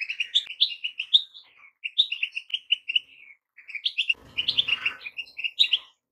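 Goldfinch song: quick, bright, tinkling twitters and short trills in three bursts with brief pauses, plus a soft rustling thump near the end.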